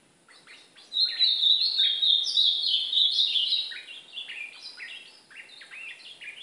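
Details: Brown ultramarine grosbeak training song, from a recording that also trains the white-throated seedeater. A loud, fast, tumbling warble is followed by rhythmic repeated stepped notes that grow softer toward the end.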